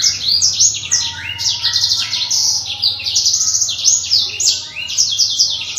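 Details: Kept Black-throated canary in full song, pouring out rapid high trills and sweeping twittered phrases almost without a break, with a soft low hum in the background.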